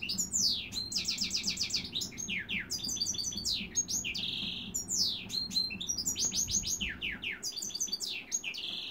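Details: Goldfinch mule, a goldfinch x dimorphic canary hybrid, sings varied phrases: rapid rattling trills, steep descending whistled sweeps and a buzzy sustained note, repeated in lively bursts.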